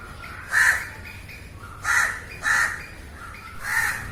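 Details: Crow calling, recorded live: four harsh, rasping caws at irregular intervals, the last three closer together, with quiet background noise between them.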